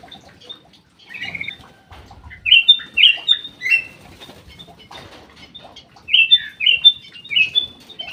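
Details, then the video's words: Black-crested bulbul singing in an aviary: soft scattered notes at first, then two bursts of three or four loud, sharp, down-slurred whistles, separated by a pause of about three seconds. "BURUNG CUCAK EMAS \ KUTILANG EMAS SUARA MAKIN BENING"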